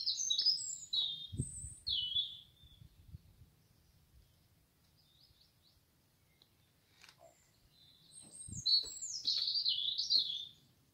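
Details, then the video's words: A common nightingale, probably a male seeking a mate, sings in a garden in Great Mongeham in May 2022, evening or morning: two bursts of rich, varied high phrases, quick trills and sweet notes, over low rumble and faint thumps. "Nightingale singing"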